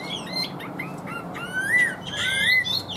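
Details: Chinese hwamei kept in a cage, singing: a few clear whistles, then long smooth upslurred and downslurred notes, with a faint hum behind.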